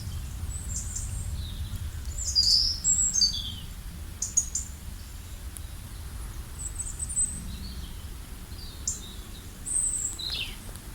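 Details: Wild birds chirping in a natural setting: bright, high twittering notes and short sweeping chirps come in scattered bursts, with a steady low rumble of background noise underneath.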